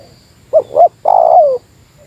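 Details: Single Meratus-style phrase of a spotted dove aimed at a rival: two short rounded coos followed by a long purring coo that drops in pitch at the end.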